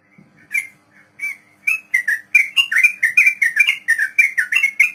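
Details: Sooty-headed bulbul 'ropel panjang' song, played to teach beginner captive trucuk birds: sparse whistled notes building into a fast, steady stream of loud, warbling, slurred whistles.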